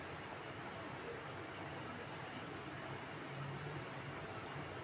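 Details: Broadband indoor hiss, like a fan or air conditioner, with a faint low hum; no animal sound.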